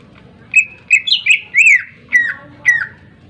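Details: Greater green leafbird with a sharp song for goading other birds into singing: a handful of clear whistled notes, some rising and some falling, spaced with short gaps.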